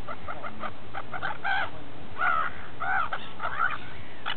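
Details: Feasting gulls at Repino near St. Petersburg give a series of short harsh notes and nasal yelping calls, roughly every half second, with faint background calls and low rumble.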